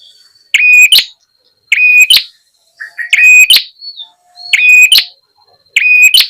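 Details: Lure call of the ashy tailorbird to attract wild birds: harsh ringing bursts about every 1.2 seconds, with soft twittering and a low whistle in the gaps.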